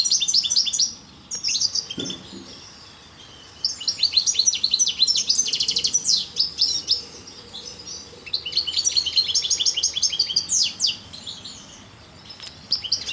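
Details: European goldfinch of the parva subspecies singing: fast, high twittering phrases of tinkling, buzzy and sharply rising-falling notes in dense bursts, broken by brief pauses around two and eight seconds, over faint low background hum.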